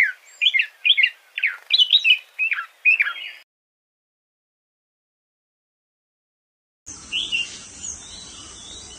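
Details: Red-whiskered bulbul giving about eight quick, bright whistled notes that rise and fall, then a sudden silence before a burst of hiss and background noise.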